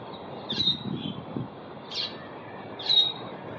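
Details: Asian glossy starlings recorded in Singapore, 4 September 2021, giving three brief high-pitched whistled calls roughly a second apart, with a low murmur of background noise.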